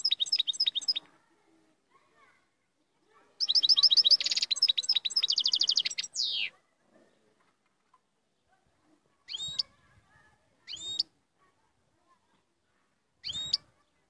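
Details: Moroccan royal goldfinch: two bursts of fast twittering song, the second with a buzzy rattle and a falling slur, followed by three separate sharp, high call notes spaced a few seconds apart.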